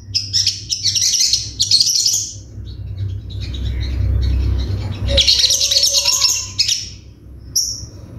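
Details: Ruby-cheeked sunbird (sogon) giving a 'tembakan' song: rapid, scratchy high trilled bursts, a quieter stretch with a low rumble, then more trilling and a single thin high note.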